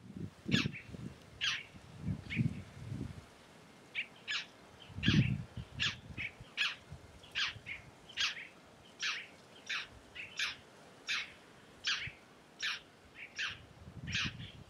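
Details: Tiê-caburé (red-necked tanager) from the Brazilian Caatinga, where it is also called Maria Preta, giving crisp high chipping notes at a steady rate of a bit over one per second, with occasional low thumps underneath.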